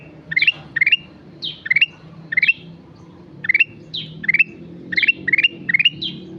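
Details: A sooty-headed bulbul in lively song (gacor), giving bright rising clusters of three or four notes alternating with sharp descending whistled slurs, in bursts roughly every half second with one short gap; low murmur beneath.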